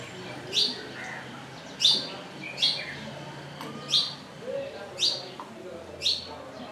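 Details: Several wire-tailed swallows perched on a lodge roof in Pangani, Tanzania, giving bright, clipped high chirps spaced roughly a second apart, against a soft hum and a few faint lower notes.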